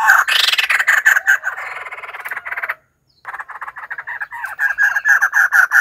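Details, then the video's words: Harsh, overlapping cackles of a white-crested laughingthrush fill the clip, with one brief gap before the rapid raucous chattering resumes and grows louder. "White crested laughingthrush call"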